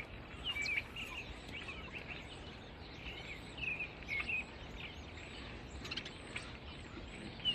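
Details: American coots in a wetland pleading for food: thin, high squeaky peeps in short bursts of two or three, spaced irregularly, over a steady outdoor hiss.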